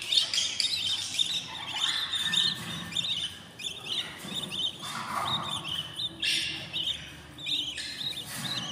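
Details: Budgerigar chicks in a new nest at day fourteen, giving rasping high chirps in uneven bursts, with overlapping chatter and scuffling throughout.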